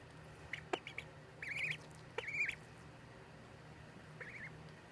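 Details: Young ducklings peeping: thin high notes, a couple drawn-out wavering calls and quicker short ones, fading toward the end, with a faint low hum throughout.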